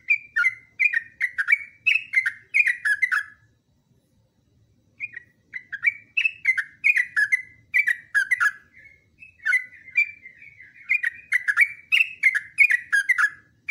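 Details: Yellow-vented bulbul in full, chatty song, a long continuous training recording. Bubbly, warbled phrases of quick liquid notes come in dense runs, with a short pause near four seconds before the chatter resumes. No other clear sounds.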